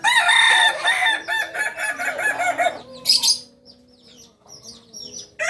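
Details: Kokok Balenggek singing chicken from Solok, West Sumatra, raised on a farm in Solok city, gives an extended multi-stepped crow of nearly three seconds with rhythmic wavering syllables, then a short sharp burst and soft distant chirping.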